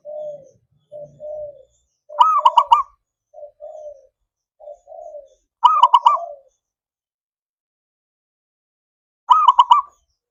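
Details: Zebra dove (perkutut) song, played to stimulate silent, lazy doves to sing: three loud phrases of rapid pulsed coos, interspersed with softer, lower, shorter coo notes.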